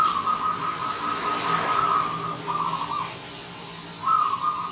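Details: Local wild zebra dove in morning song: sustained rolling trilled coos in long phrases broken by brief gaps, with soft high chirps of other birds recurring behind.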